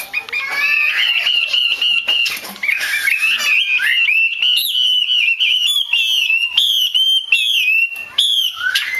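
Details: Female Chinese hwamei call used to spur male birds into song: a continuous stream of bright whistled notes, some rising, some falling, with short trills and slurred phrases.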